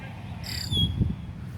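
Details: A red-winged blackbird at Tenney Park, Madison, on 12 July 2020, with another heard nearby, gives a brief, bright, harmonic call that ends in a thin, falling whistle, over low outdoor rumble and a murmur of voices.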